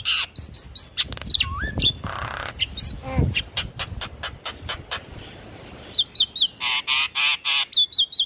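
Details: Lure song of a Javan myna, meant to make a non-singing bird sing: varied sharp whistles, wavering squeaks and rasps, then a fast series of repeated buzzy notes with looping whistled ends.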